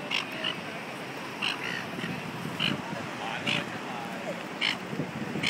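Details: Two birds quarrelling on a beach in Sydney, Australia, trading short sharp calls roughly every second over a constant roar of surf and wind.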